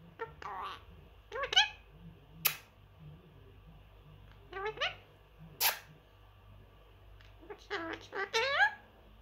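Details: Male Indian ringneck parakeet, three years old, kept as a pet indoors, a mimic of phrases: bursts of harmonic, rising-and-falling chattering syllables in short groups, with sharp clicks between them and a steady low hum in the room.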